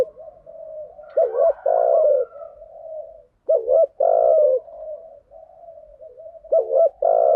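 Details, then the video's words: Spotted dove lure recording with "thúc gù" and "gáy gọi" song styles, used to stir up training birds: loud, deep double-note coos followed by a long mellow coo, separated by soft murmuring notes between phrases. "Tiếng chim cu gáy mồi giọng lôi cuốn hấp dẫn đủ bài[ THÚC GÙ , GÁY GỌI ]"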